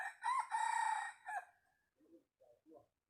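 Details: Decoy rooster used to call wild chickens gives a loud, harsh crow of about one and a half seconds with a rising start and long held middle, followed by three short, soft clucks.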